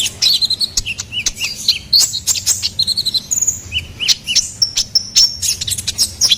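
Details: Busy, high-pitched song of a ruby-cheeked sunbird, used for luring and tutoring songbirds. Quick chips and squeaky slurred notes are followed by a sustained thin whistled trill near the end.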